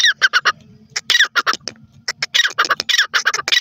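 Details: Grey francolin (Dakhni teetar), a male calling with female responses: loud, harsh, repeated squawking notes in quick bursts, with short pauses between runs of calls and overlapping voices.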